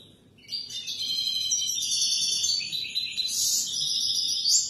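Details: European goldfinch song, played for young birds to learn from: an unbroken rapid twittering of bright, tinkling high notes and short trills, ending in a sharper buzzy burst and a rising squeak, with little background noise.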